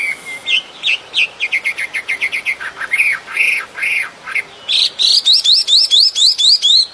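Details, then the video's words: Bird singing in nature: a stuttering series of short chirps, several arched, drawn-out whistles, then a quick train of about ten sharp rising notes repeated evenly. "Chim hót."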